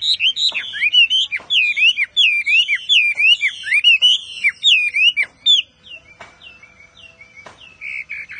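A Chinese Hwamei sings a loud, rich run of slurred, looping whistles, rapidly repeated, then trails off into softer notes, with a few sharp clicks.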